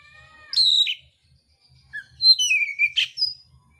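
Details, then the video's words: Oriental magpie-robin of the mintal type singing its fighting song with rough filler: a bright high whistle sliding downward, a pause, then a short low note and a burst of descending whistles and sharp chips. "kacer mintal tarung bongkar isian kasar"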